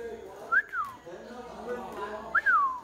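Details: Myna singing: two clear whistled notes about two seconds apart, each a quick rising slide followed by a longer falling glide, over a soft murmur of background voices.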